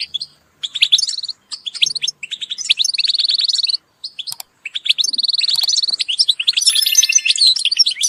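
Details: Group calls of European goldfinches used to motivate birds: stuttering twitter phrases with repeated buzzy trills, several short silences, ending in a thick chorus of overlapping chirps.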